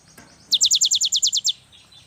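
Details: A single rapid phrase from a young cinereous tit, used to stir lazy birds into singing: ten evenly spaced, piercing high notes, each sliding downward, then silence.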